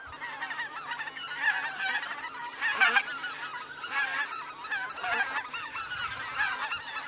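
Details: Greater white-fronted geese lifting off from their Miyajima-numa roost, 2023: a loud crowd of overlapping honks, with swelling bursts of calling every second or so over a steady chorus.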